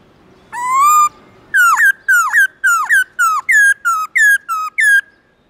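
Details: Loud, clear morning forest-style song of a black-throated laughingthrush: one long steady whistle that gently rises, followed by about nine sharp notes that each start high and slur downward.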